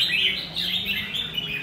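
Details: Red-whiskered bulbul singing vigorously: a dense run of bright chirps and quick warbled notes, with overlapping phrases and faint background murmur.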